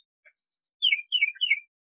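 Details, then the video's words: Tufted titmouse singing: three clear downslurred whistled notes after a few faint high chips, each note sliding downward, with nothing else heard. "ASMR- Bird Songs of Tufted Titmouse"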